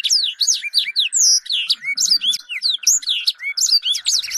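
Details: High, rollicking song of small birds, used to train a white-rumped shama to sing: continuous swooping whistles, upslurs and clipped chirps tightly packed, with a faint steady tone in the background.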